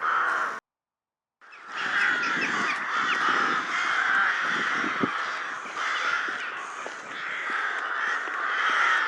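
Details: Many rooks, Corvus frugilegus, in the wild, calling together in a dense, continuous chorus of overlapping harsh caws after a brief silence.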